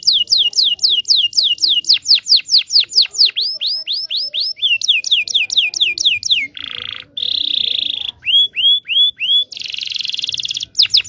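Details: Song of a local Indonesian canary for teaching young birds to sing: long run of quick downward-sweeping whistles, then brief buzzy trills, a few rising slurred notes, and a final rattling trill.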